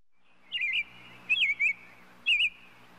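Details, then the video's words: European robin singing three short twisting whistled phrases, each about a quarter second long, with pauses between them, over a faint steady low hum. "Птица малиновка. Пение"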